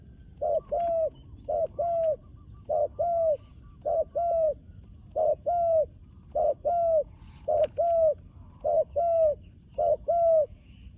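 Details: Spotted dove, a newly trained bird on the dirt competition ground for its first time, repeating short double coos at a regular rhythm, about a pair every second, with faint clicks and background noise underneath.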